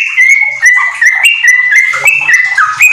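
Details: Continuous 'gacor ropel' singing of a yellow-vented bulbul with magpie-robin phrases, used as a tutor for training pet bulbuls; quick chains of clear, slurred whistles with short rising and falling notes, hardly pausing.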